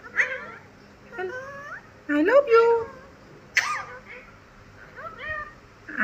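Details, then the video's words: A pet green ringneck (Alexandrine) parakeet talks in short, nasal phrases such as "hello Papa", "I love you" and "good morning", the bursts sliding up and down in pitch with brief pauses, alongside a person's voice in a small room. "Clever Alexandrine Parrot Talking"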